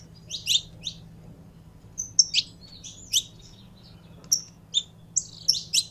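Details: Saffron finch, a caged Brazilian canário-da-terra, giving sparse, separate high sharp chirps and short whistled notes spaced irregularly over a few seconds, with a steady low hum in the background.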